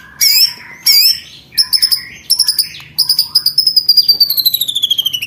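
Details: Training recording for contest white-rumped shamas: high looping whistles, then rapid clipped repeated notes, and finally a fast rattling series under a long, slowly falling high whistle.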